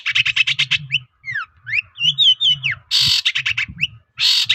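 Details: Shrike song used as a lure for other shrikes: fast rattling series of harsh notes, then swooping slurred whistles, then loud grating bursts, with a steady low hum beneath.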